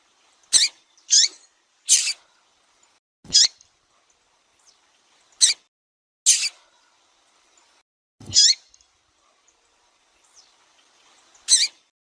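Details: Female double-collared seedeater from Brazil calling and peeping to arouse the male: about nine brief, high chirps spaced unevenly across twelve seconds, some doubled, against a quiet background.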